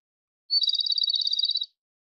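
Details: Japanese robin delivers one song phrase: a thin high opening note dropping straight into a fast, even trill about a second long, set against silence.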